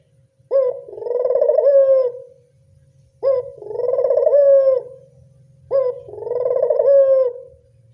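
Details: Lure call of a local Barbary dove used to attract doves: three steady coos, each with a short sharp upswing and then a long, rippling, purr-like note that tails off. A low background hum runs underneath.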